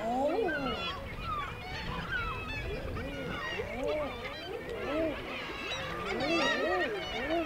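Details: On the Isle of May, Scotland, male common eiders on the water give a steady stream of dove-like ah-hoo coos, each note swelling up then sliding down, while higher, sharper calls of passing seabirds sound overhead.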